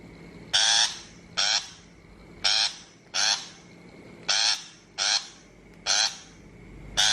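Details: Recorded for a 2023 bird-trap loudspeaker, a shrike repeats eight coarse, scratchy notes over seven seconds, sometimes doubled. A faint electrical hum runs underneath.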